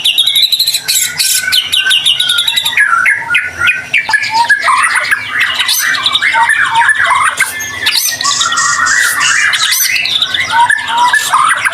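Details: White-rumped shama in prolific 'gacor' song, played as a lure to get other shamas singing; dense, continuous medley of varied whistled and buzzy phrases, many sharp rising and falling notes, high chattering elements overhead, no pauses.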